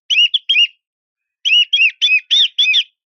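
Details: White-rumped shama giving quick chirped phrases to draw a rival, two notes, a pause, then five rapid looping whistles in a tight row.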